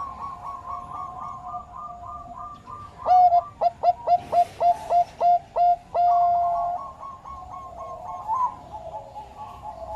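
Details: Zebra dove of the Bangkok type with a faint cooing series at first, then a loud burst of clipped, evenly spaced coos ending in a longer drawn note, followed by softer rhythmic cooing.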